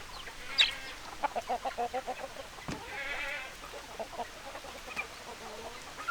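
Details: Hens give a quick run of evenly spaced, loud clucks. Scattered softer clucks and a brief raspy burst follow in a quiet farmyard setting.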